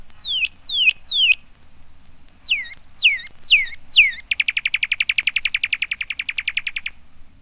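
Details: Cardinal field guide recording: six loud, clear downslurred whistles in two groups, then a fast, even, rattling trill of short notes lasting over two seconds. Quiet background.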